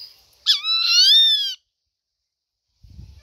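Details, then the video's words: Rufous-winged buzzard giving a single drawn-out, slightly rising mewing scream lasting about a second, harmonically rich and clear, followed by silence. "RRufous-winged buzard"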